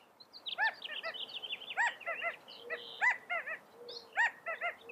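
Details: California quail: repeated clusters of two or three arched, harmonic call notes about once a second, set over a steady background of thin high chirps and twitters.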